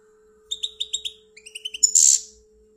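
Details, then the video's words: Pet European goldfinch from Algeria singing a short series of repeated sharp chirps followed by a harsh buzzing note. "The best goldfinch singing beautifully"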